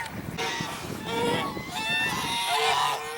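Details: African geese in the Jordan Valley on January 19, 2021, honking in overlapping nasal calls over steady background noise and rustling.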